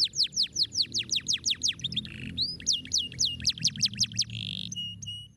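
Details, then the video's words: Stimulating canary song for lazy birds: quick repeated high down-slurred whistles, a brief rasping buzz, more rapid whistled notes and a harsh held buzz ending on level tones, over low background hum. "goede kanarie! bewezen effectief te zijn bij het overwinnen van het fluiten van luie vogels"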